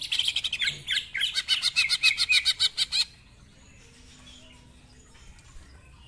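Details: Greater green leafbird singing in the rough-voiced 'ngentrok' style, packed with 'isian' fills and rapid 'nembak' bursts: three seconds of dense, pulsed high buzzy trills, then sudden near silence with only faint distant notes.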